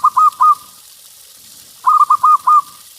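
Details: Local zebra dove in strong voice, played to prompt other doves to start singing; two bursts of soft, rolling cooing notes, three to five quick hollow coos each, the last trailing off, with a quiet gap between.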